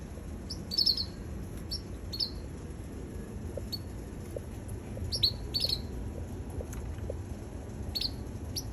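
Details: Baby red canary producing quick bright chirps, often paired, with gaps of silence between bursts; soft low tapping sounds and steady background noise run throughout.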